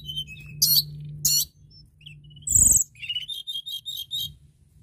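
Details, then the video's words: Crested lark singing, used to stimulate birds of its kind to sing. Two loud high buzzy bursts are followed by a harsh noisy note and then a rhythmic series of about six repeated chirping notes. "Tledekan gunung gacor dorrrr"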